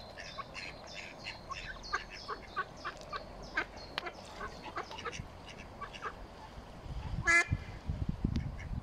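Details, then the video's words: Mallard ducklings, a brood of nine, out for their first swim with the adults, Smithspool, Fenton, 15 April 2022; continuous faint high peeps in quick series, one loud burst and low rumbling near the end. "Mallard Ducklings Take Their First Swim with Duckling Calls."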